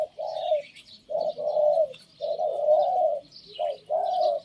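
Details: Spotted Dove kept as a Thep Phanom decoy bird, cooing: low, rounded coo notes in short runs, each phrase of two to three soft notes separated by brief pauses, with faint higher chirps from other birds in the background.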